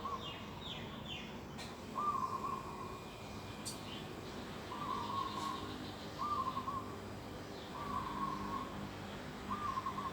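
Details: Birds in an organic vegetable garden on a December morning in 2021: five sustained, slightly wavering mid-pitched notes spaced every one to two seconds, each about a second long, over faint hiss.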